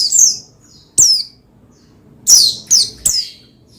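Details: Pleci, the Oriental white-eye, heard as a prompt for other birds to sing: a single high falling chirp, a pause, then three quick sharp chirps in a row.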